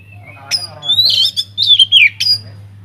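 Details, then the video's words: Oriental magpie-robin singing in an aviary, used as a lure so other birds start singing: a harsh squeal, then a long buzzy, warbling phrase sliding downward, ending in a short sharp note over a low hum. "BURUNG KACER GACOR DIDALAM UMBARAN"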